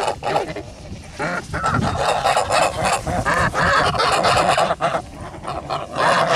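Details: Kholmogory geese kept on a farm, 10 August 2017, call in a noisy chorus. Rapid, uneven nasal honks repeat about four times a second, several birds overlapping into a dense clamour.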